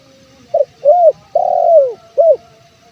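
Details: Low, mellow cooing of a male Indonesian spotted dove (tekukur), played to lure wild birds: a brief hoot, an arched coo, a long slurred coo dropping at the end, then a short upturned note, over a faint background.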